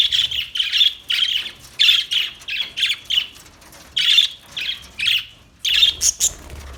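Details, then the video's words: Budgerigar chirping: a run of short bright squawky chirps, roughly two per second, with a couple of higher sharp notes near the end. "Beautiful Budgie Beautiful birds Chirping Sounds"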